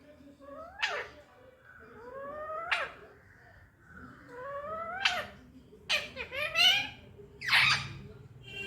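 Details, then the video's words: Pet Indian ringneck parakeet indoors, mimicking human speech: a series of short sliding, harmonic-rich vocal phrases with rising and falling contours, spaced one to two seconds apart, ending in a louder buzzy burst. "'kissMeBaby' #talkingparrot"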